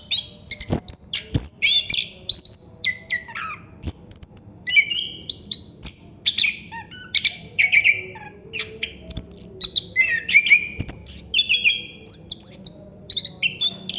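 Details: Chestnut-capped thrush (anis kembang) in continuous long song, called ngerol: a nonstop stream of varied whistles, sharp high notes and rapid rising and falling slurs with hardly any pauses.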